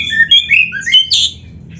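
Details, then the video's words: Oriental magpie-robin, black-breasted kacer, singing a master training phrase for caged birds: quick sequence of pure whistled notes stepping down in pitch, ending in a loud rough burst, over a soft low background hum. "MASTERAN KACER GACOR FULL ISIAN JOS"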